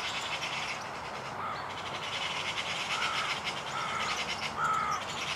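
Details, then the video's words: European serin perched only a few metres away, unafraid, singing a fast, continuous jingling high twitter, with a few short, lower whistled notes in the background. "SERIN CINI qui chante"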